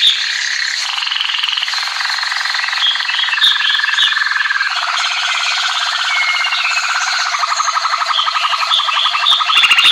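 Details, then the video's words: American singer canary singing a loud, unbroken song of rapid rolling trills that shift pitch every couple of seconds, moving from buzzy lower rolls to brighter high warbled tours. "Cântico Canário American singer"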